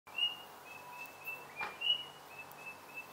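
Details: White-browed robin-chat (Heuglin's robin) at a bird feeder in Mpumalanga, South Africa, near Kruger National Park, sings a steady run of short, thin, high whistled notes, about three a second, over faint hiss with one soft click.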